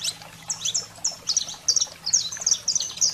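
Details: Saffron finch sings high, sharp chips and short trilled phrases in quick bursts, with a faint low hum underneath; played to stimulate and excite a canary.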